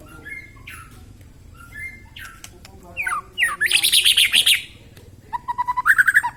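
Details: A young white-rumped shama that has just lost its spotted juvenile plumage delivers its full song. Soft paired whistles come first, then a burst of loud buzzy, chattering notes, and finally a quick run of repeated notes rising in pitch.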